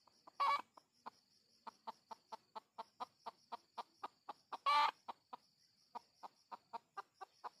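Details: Steady run of clipped clucks from red junglefowl used to lure wild birds, about four a second, broken by two loud rasping bursts, while cicada-like insects buzz continuously in the background.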